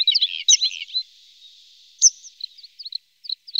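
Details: Red-spotted bluethroat in Norway, one of a pair with young waiting to be fed; scattered bright chirps and twittering notes, a burst of varied phrases, then a pause and short high sharp notes spaced apart.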